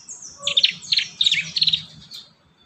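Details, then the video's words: Young prinia song used as a training lure: bursts of sharp, high chirps and short trills between about 0.5 and 2 seconds, with a faint low hum beneath. "Masteran | pancingan burung prenjak muda | prenjak bakalan"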